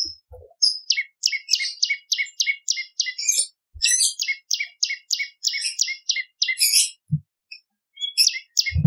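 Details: Bar-winged prinia singing vigorously, recorded as a lure and training song for other cage birds: long runs of quick, evenly spaced double chirps, broken briefly by a buzzy high flourish midway, with faint thumps near the start and end.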